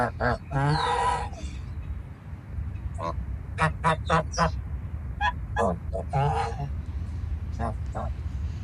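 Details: Farm geese calling: a long wavering honk opens, followed by many short, sharp nasal honks at irregular intervals and another drawn-out call, with a constant low rumble behind.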